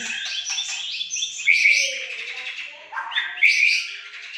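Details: Aceh white-rumped shama singing dense scratchy warbles broken by sharp whistled accents and a dropping slurred note, steady and loud throughout.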